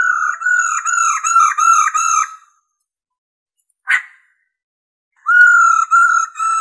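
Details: A female laughingthrush calls to stimulate male birds, giving a quick run of rich, nasal, slightly arched notes, about five in two seconds, then a short sharp note and another run after a pause.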